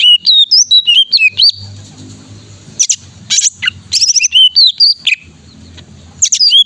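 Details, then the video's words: Cucak ijo, the greater green leafbird, singing energetically: rapid high whistled notes and bent slurs, then bursts of steep sweeping trills and clipped chips, separated by short quiet gaps. "Cucak Ijo Gacor Untuk Terapi Cucak Ijo Malas Bunyi"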